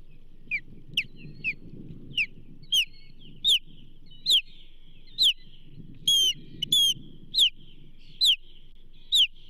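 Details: Osprey calling at the Charlo nest during a delivery of a whole whitefish, 29 May 2024; short, sharp, downslurred whistled notes repeated about every half second to second, some doubled, over low background rumble.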